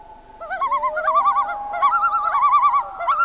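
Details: Common loons at night on a summer lake in northern Canada, rapid laughing tremolo calls rising and wobbling in successive bursts over a faint steady wail, several birds calling together.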